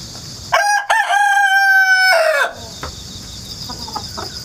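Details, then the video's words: Rooster crowing again and again in the countryside on 1 September 2019, recorded with GoPro and wireless mic; one complete crow, two quick rising syllables then a long level note, followed by constant high insect chirring. "닭 울음소리 자연 소리 꼬끼오 수탉"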